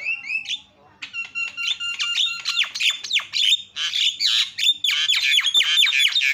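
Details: Javan myna calls used as a lure to make other birds call: a run of harsh, noisy squawks mixed with short high whistles and clipped notes, delivered rapidly and irregularly, over a faint steady low hum.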